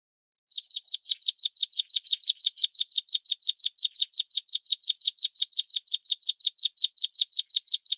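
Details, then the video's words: Plain prinia of the Taiwan endemic subspecies Prinia inornata flavirostris gives a long, steady string of sharp, buzzy high chirps, roughly six per second, running unbroken for over seven seconds against a silent background. "褐頭鷦鶯/Plain Prinia"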